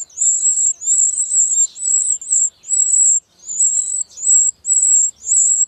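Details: Wren chicks begging as their parents feed them: very high, hissing buzzy bursts, each lasting about half a second, repeated nine times with short pauses between, with no other sounds.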